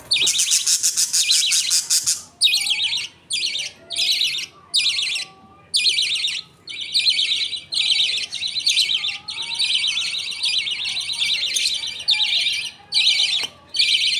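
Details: Budgies during feeding, a father feeding two baby budgies millet paste while the mother watches. Opens with a sustained two-second harsh buzz, then clipped raspy bursts repeat irregularly, with soft warbling chatter underneath.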